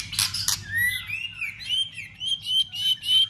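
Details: White-rumped shama singing a fighting song with tail-flicking to excite other birds: two sharp clicks, then a clear rising whistle and a rapid series of high, evenly repeated chirped notes.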